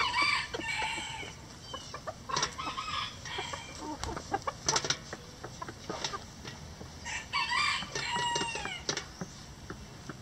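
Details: Chickens in a coop clucking, with short harmonic calls bunched in bursts near the start, middle and eighth to ninth seconds, with scratching and clicking sounds in between and a steady background hiss.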